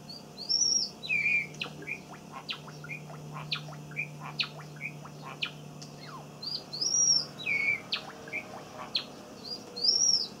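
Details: Two pet Java sparrows, a younger one singing a song copied from the older one, give high looping whistles between runs of dry clicking notes, the whistled phrase returning about every three seconds over a steady low hum.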